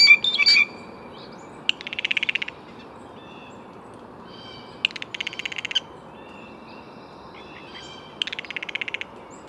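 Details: Blue jay: a brief loud note opens, then three fast clicking series of about ten harsh pulses each, roughly three seconds apart, with faint whistles from other birds behind.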